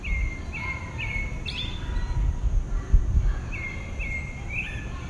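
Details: One pale-breasted thrush singing at dawn in southeastern Brazil, giving bright whistled phrases, some rising or warbled, in two short bursts separated by a pause, with constant low background hum.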